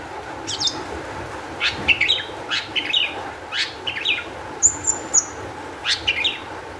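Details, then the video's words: Agitated, high-emotion Long-tailed shrike song, used as a lure to set other shrikes singing: a varied run of clipped chirps, buzzy downslurs and a brief very high trill, with short pauses between bursts. "cendet gacor EMOSI TINGGI cocok untuk PANCINGAN CENDET AGAR BUNYI"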